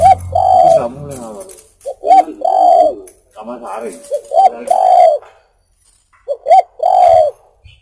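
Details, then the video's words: Spotted dove (tekukur) cooing for luring birds: four phrases of two clipped notes and a long resonant coo, separated by short pauses. "SUARA BURUNG TEKUKUR COCOK UNTUK PIKAT(buat masteran)"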